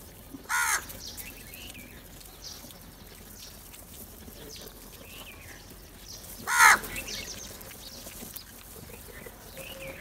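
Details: Crows gathering for food: two loud harsh caws, one near the start and one about six seconds later, over a busy outdoor background with faint chirps of other birds.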